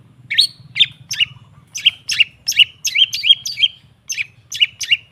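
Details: ['Song of a long-tailed shrike played to make a non-singing shrike sing: brisk run of high, clipped downslurred notes, irregularly spaced and bunched in the middle, with a low background drone.']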